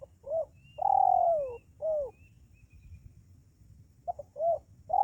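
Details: Spotted dove lure call for drawing wild doves near: a short coo, a long drawn coo sliding down in pitch, another falling coo, then a quick stuttered double note before more coos. Faint high chirps of other birds behind.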